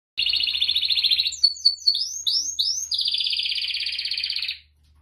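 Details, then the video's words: A male singing finch sings a long, rapid buzzy trill, breaks into a few quick downslurred whistled notes, then returns to the steady high buzzing trill. "Singing finch || finch sound"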